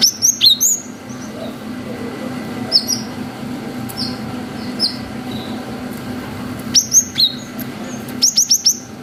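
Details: Cinereous tit singing the long 'wucit' song meant to provoke young tits: clusters of sharp, high whistled notes at the start and end, with sparse softer notes between, over a steady low background hum.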